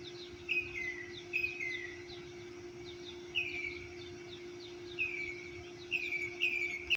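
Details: Birds singing at 6:30 am at an apartment complex in Orlando, Florida. Short descending slurred notes repeat every second or so over a steady low hum and background noise.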